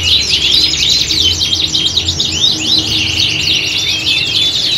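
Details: Canaries singing in a simulated contest atmosphere to train them for competition. Clear looping whistles and rapid up-and-down sweeps weave through continuous bright trilling, with low hum in the background.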